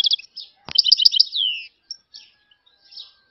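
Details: European goldfinch song: a burst of quick tinkling notes mixed with sharp clicks, ending in a longer falling slur. Sparse soft chirps follow in quieter moments.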